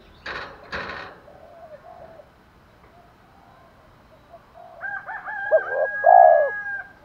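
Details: Spotted dove calling in 'thổ pha thúc đấu' style to attract wild birds. Two loud broad clacks open, then quiet murmurs, then a short note and a rich low coo with a faint higher whistle over it.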